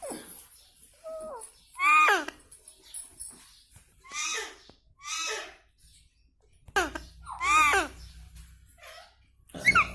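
An Indian ringneck parakeet chatters in short, raspy, speech-like phrases with a few sharp squawks, giving several bursts over ten seconds in a small room.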